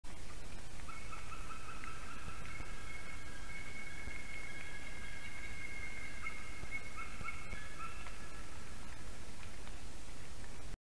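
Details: White-tailed eagles in Durbe, Latvia, a pair greeting the morning at 7:13 a.m. on 19 October 2022: drawn-out, layered tonal calling at mid pitch, running for about nine seconds over heavy low wind rumble.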